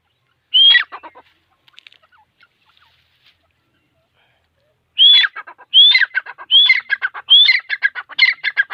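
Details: Calling grey francolin, called teeter locally: a single whistled, rasping phrase, about four seconds of near silence with faint ticks, then a rapid run of five phrases, each a rising whistle with a grating finish.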